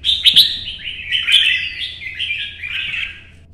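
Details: Red-whiskered bulbul singing solo in early morning sun, hopping between perches in competition style: a bright warbled phrase of rich whistled notes sliding downward, then a softer trailing series fading out.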